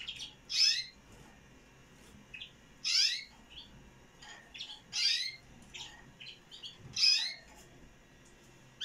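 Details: Canary chicks one day old calling for food: bursts of high, wheezy, scratchy cheeping about every two seconds, with fainter softer peeps in between.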